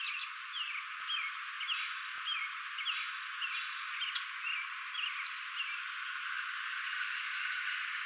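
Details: Male common grackle giving calls before flying away, a steady series of short down-slurred chirps about every half second, with a busy chattering bird chorus and a couple of faint clicks behind.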